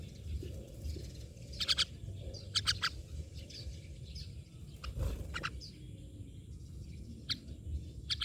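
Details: Rasping, buzzy myna notes in quick bursts, mostly in the first three seconds and again near the end, with softer chirps between them and a low droning background.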